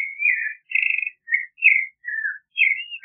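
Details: Clay-colored thrush (Turdus grayi) singing: a steady run of clear, slurred whistled phrases, each about half a second, rising and falling, separated by short pauses, with no other sounds.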